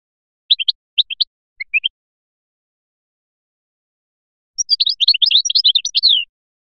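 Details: Biskra goldfinch singing Feliachi style: small groups of two or three crisp chirps separated by pauses, a long silence, then a fast jumbled burst of high twittering notes.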